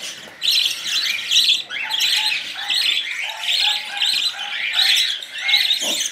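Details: Budgerigar chicks being hand-fed baby formula from a syringe, head held steady, beg with shrill, rapid, raspy chirps in bursts, roughly one a second, with a faint lower tone underneath.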